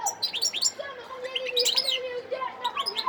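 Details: Wild European goldfinch singing in Sidi Bel Abbes, Algeria, on 17 December 2021: bright twittering, rapidly rising and falling chirps over a softer, lower warbling line running underneath.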